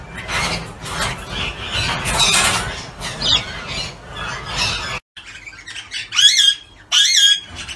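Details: Australian ringneck (broad-tailed) parrots give harsh, grating squawks over a dense chorus of calls, then two loud rasping calls about a second apart near the end.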